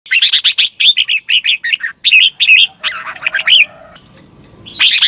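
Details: Red-whiskered bulbul, a caged bird in morning singing training, sung in the chè căng lửa style with a double-twist voice: loud bursts of short warbled notes rising and falling around the middle pitches, then a brief pause and a fresh phrase.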